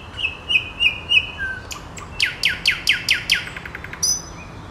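A nightingale sings a varied phrase: warbled notes, about eight loud falling whistles in quick succession, a dry rattle, then a thin high whistle. The background is quiet.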